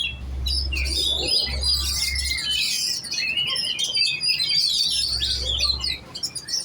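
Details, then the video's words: Oriental magpie-robin in contest training, rapid repeated whistles and trills tumbling over one another, with a deep hum in the first half. "Burung kacer giras set lomba kejar on ngunci"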